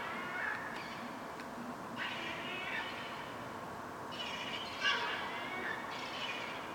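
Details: Young fluffy gull chicks on a rooftop, being fed by their mother, give repeated bursts of mewing, slightly rising begging cries every second or two over steady background hiss.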